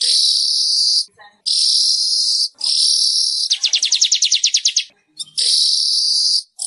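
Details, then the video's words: Weaver song used to prompt caged birds to sing: harsh sizzling hisses of about a second each, broken by short gaps, with a brief fast rattling trill in the middle. "SUARA BURUNG MANYAR"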